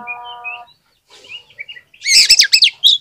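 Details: Oriental magpie-robin singing, played to stimulate lazy birds to respond: a steady humming tone with faint whistles, a pause, soft warbled notes, then a loud burst of rich, rapid whistles and trills.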